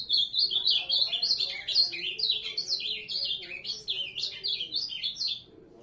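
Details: Loud ultramarine grosbeak song: a rapid, unbroken run of sliding high notes that zigzag in pitch for about five seconds before stopping abruptly.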